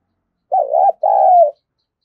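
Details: Luring call of a spotted dove used to draw in wild doves: a single clear coo in two parts, a warbling first note, then a longer, even note that drops slightly at the end.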